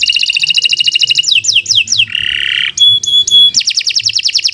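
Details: Canary pouring out continuous song meant as a training master: quick pulsed trills, swooping downslurred notes, a dense buzzy roll, short ringing whistles, then rapid trilling again.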